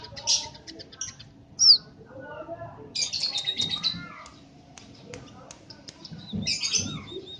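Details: {'caption': 'Tame scaly-breasted munia in a cage, singing freely: bursts of high chirps, a loud thin whistle, a buzzy chattering phrase and more soft high notes with brief pauses between.'}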